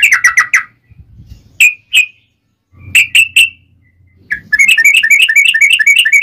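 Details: Yellow-vented bulbul, a fighting-mood singer used as a lure to provoke other bulbuls into answering: short bubbly notes, a few separate chirps, then a fast rattling trill of repeated notes.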